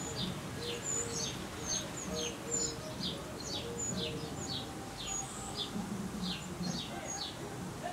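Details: Wren chicks calling at one of the final feedings before they fledged within hours. Quick runs of high, falling chirps, more than two a second, with thin whistles above and lower steady tones.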